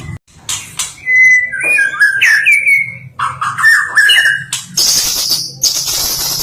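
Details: Champion white-rumped shama, or stone magpie, singing clear looping whistles that waver up and down, then a dense high buzzy trill near the end, with constant low background hum.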